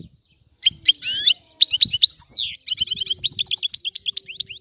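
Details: European goldfinch from Sicily in an old-style song: after a short silence, a buzzy trill, scattered chirps and a long descending slur, then a steady run of rapid doubled twitters.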